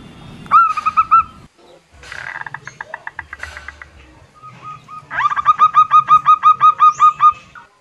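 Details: Local female zebra dove calling, a sound used to lure males that seldom sing or wild doves; short bursts of rapid, hooked, upward-flicking notes, two brief runs split by a pause with a coarse buzzy rattle between them.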